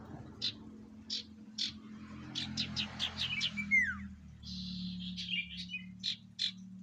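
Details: Sirtu song used as a lure: spaced single chirps about every half second, a quick burst of notes with a falling whistle, then a buzzy trill and more chirps, over a steady low hum.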